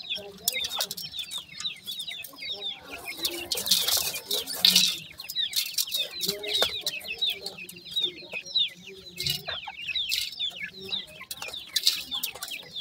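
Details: Chorus of grey francolin chicks: constant high-pitched cheeps and twittering peeps from several young birds, fast and overlapping, with occasional low clucks, a burst of rustling or scratching noise around the middle, and soft background hum.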